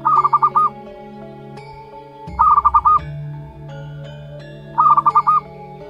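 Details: Zebra dove chick aged one month, local wild bird, repeating a short phrase of quick stuttering notes ending in a rounded coo three times, roughly every two seconds, over continuous humming tones.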